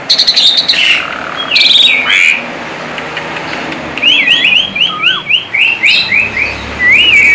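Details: A tame Asian pied starling in lively song for luring: harsh chatter at first, then a series of quick looping whistles repeated about four times a second, with faint road noise behind.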